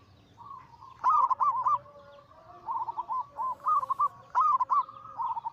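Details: Anggungan cooing from a group of zebra doves, Bangkok local crossed with cemani katuranggan silver, used to trigger singing and lure birds. Quick lilting coos come in clusters, with a soft drawn-out tone and background hiss.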